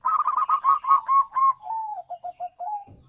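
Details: Wild zebra dove (perkutut) call, played to lure birds into answering: a quick run of bubbly, evenly pitched coos that slows into softer, lower trailing notes, ending with a brief low rustle.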